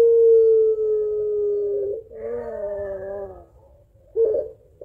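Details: Calling its mate, a puter pelung barbary dove gives a long crying-laughing call: a smooth falling tone of about two seconds, then a rich quavering phrase that fades, ending in a short gurgled burst.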